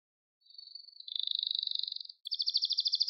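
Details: Canary song for training young birds: after a short silence, a thin trill slowly builds in loudness, then after a click a louder, quicker trill of paired notes follows.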